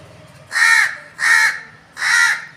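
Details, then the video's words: Crow calling: three loud, harsh caws, each about a third of a second long, spaced roughly 0.7 seconds apart, over a quiet background. "crow calling"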